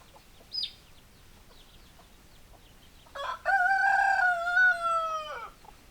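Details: Rooster crowing, a short note followed by a long, loud, slightly falling harmonic crow lasting about two seconds, preceded by faint scattered clucks from hens.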